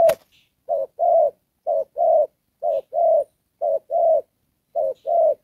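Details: Spotted dove serving as a decoy for trapping, calling in "Đồng Pha" style: a sharp click, then five regular pairs of a brief note and a fuller coo, roughly one pair per second.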